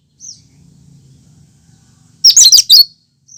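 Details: Natural cucak kinoi song without mimicry, used to prompt and lure birds: a short high whistle, a quiet pause with faint low hum, then a strong phrase of four rapid shrill notes.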